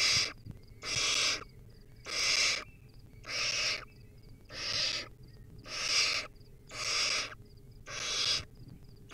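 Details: Wild barn owlet in its nest while feeding on a rodent, giving a steady series of eight rasping, noisy hisses, roughly one per second, each lasting about half a second, with faint high ticking notes in the gaps.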